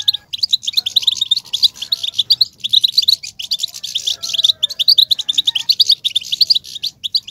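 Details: Goldfinch batbata song to excite males: bursts of quick, sparkling chirps in near-continuous phrases, separated by a few short breaks, over faint low hum.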